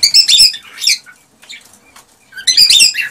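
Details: Mating-stimulation song of a male cockatiel: dense, harsh warbled chatter at the start, a softer gap with scattered faint notes, then another loud raspy burst.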